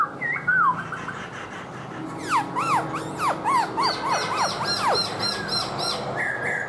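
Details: Black-throated laughingthrush, a kept bird singing while dancing with a fanned tail, gives clear slurred whistles and quick downward-swooping notes mixed with high chirps against constant background noise.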